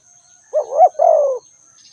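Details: A single spotted dove call phrase: a quick rising-and-falling double coo running straight into a longer, husky, gently falling croo, lasting under a second, over a faint steady high whine.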